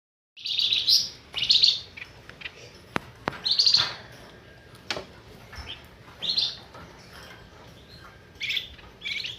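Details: Flamboyan bird lure call used for bird trapping: bursts of high, sharp chirping notes, each about half a second long, repeated at irregular gaps, with a few faint clicks between.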